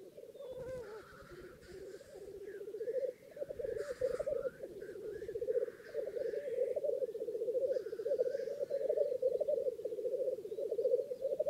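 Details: A long stretch of black grouse lekking in northern England: sustained low rapid bubbling rookoo throughout, with scattered harsh hissing sneezes and brief clicks.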